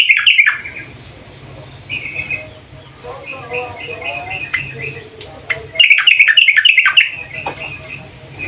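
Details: Yellow-vented bulbul female calling the male, giving a sharp chattering burst, softer scattered chirps and twittering phrases, and then a loud, jumbled run of rapid notes.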